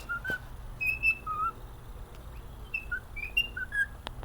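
A cockatiel whistles a melody of clear, pure notes that slide up and down, over a low hum.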